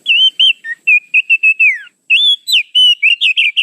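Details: Rapid, varied whistled song of an Oriental magpie-robin, played as a lure: a run of short steady notes, one long downslurred note, then a fresh fast series after a brief break.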